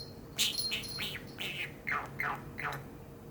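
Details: Eight-year-old male pet budgerigar chattering indoors on a very hot day after a bell rings: a string of quick warbled, slurred syllables rising and falling, with a faint ringing bell tone at the start.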